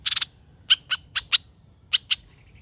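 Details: Caged lure laughingthrush, a hoành hoạch thơm, gives a short buzzy burst followed by several spaced, sharp whistled chirps.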